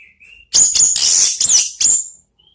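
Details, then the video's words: Orange-headed thrush in ngeplong song for provoking other birds: a soft whistled lead-in, then a loud run of dense, high, rapid notes and a sharp closing whistle, with a faint thin note after. "MEMANCING ANIS MERAH BUNYI NGEPLONG"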